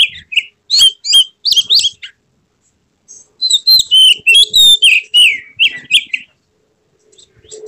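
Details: Oriental magpie-robin (kacer) in full emotional display, tail fanned, singing to provoke rivals: quick clear whistles and slurred notes in dense phrases, a brief pause, then a longer tumbling run of varied loud notes.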